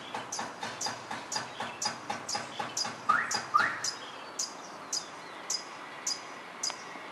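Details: Songbird in Cuenca, Ecuador, recorded April 29, a bird said to sing all night: a steady series of sharp, high chips, about three a second, then spacing out and slowing, with two brief lower notes near the middle.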